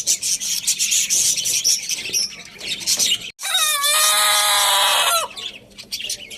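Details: Rooster, Lohmann Brown, crowing loudly at Lalukhet bird market: one long, rich, harmonic crow of nearly two seconds, opening with a brief rising note. Dense high chirping from small caged birds fills the rest of the recording.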